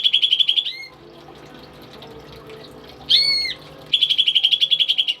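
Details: Tame pet greater green leafbird sings rapid, loud rattling trills of bright repeated notes, broken by a short two-toned slurred whistle and a quiet gap. It is kept as a tutor bird for other songbirds.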